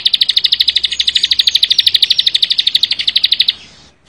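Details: Fast, tightly spaced song of a Bar-winged prinia in the 'full bren rapat' style: a steady string of high, sharp, buzzy pulses lasting about three and a half seconds, then fading out.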